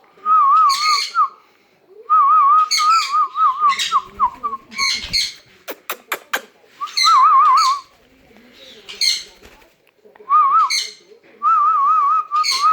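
A sun conure gives quavering, warbled whistles in short bursts, with a few sharp clicks between them.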